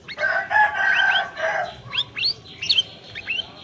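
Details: Orange-bellied leafbird song for luring a quiet bird into singing: a long grating nasal phrase, then quick rising whistles and sharp high notes.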